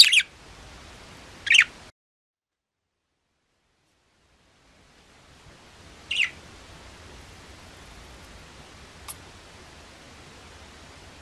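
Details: Sparse bright chirps from a pet budgerigar: two quick notes at the start, a gap of near silence, then one more chirp and a faint tick later, set against a soft hiss.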